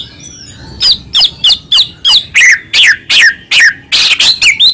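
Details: White-rumped shama, a Medan-type bird in full voice, singing to provoke other shamas into answering. Loud whistled phrases repeat about three times a second, each a sharp falling or hooked note, some with upward flicks.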